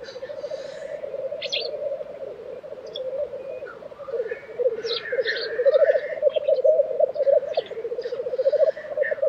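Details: Tiveden, Sweden, April 2023: black grouse at the lek give a continuous, low cooing bubble that grows louder after four seconds. Occasional hissing bursts and distant birdsong sound above it.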